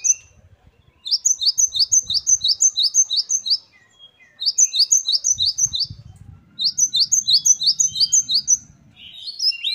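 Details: Lively, varied song of a great tit: fast runs of sharp high paired notes, about four per second, in three bursts separated by brief silences, with faint low rumble underneath.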